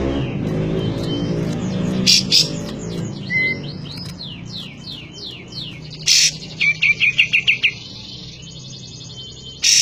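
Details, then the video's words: Cotton bird in full song: varied high chirps, a run of quick downward-sweeping whistled notes, and a rapid series of bright clipped notes, over low background rumble. "suara burung kapas tembak gacor"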